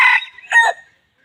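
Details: Red junglefowl crow fragment: a loud harsh burst, a short dip, then a second raspy rise, ending abruptly within one second into silence.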